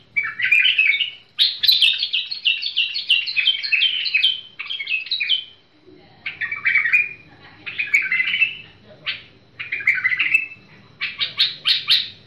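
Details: Tamed bulbul in song: a fast chattering run, then a string of short, warbling, bubbly phrases about a second apart, with a faint low hum in the background.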